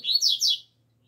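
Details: Outdoor double-collared seedeater song, alegria tuí tuí zeo zeo style: a brief phrase of three high, buzzy, downward-slurred notes, then silence.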